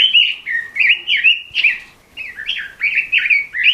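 Red-billed leiothrix singing a lively, fluty warble of quick rising and falling phrases, run together almost without pause and with a brief gap midway.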